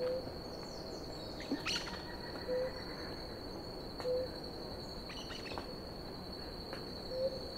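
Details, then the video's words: Pair of blue ground doves drinking water, giving short, soft, low tonal notes at spaced intervals of roughly one to three seconds, over a steady high whining drone and scattered clicks. "Casal de pararu-azul"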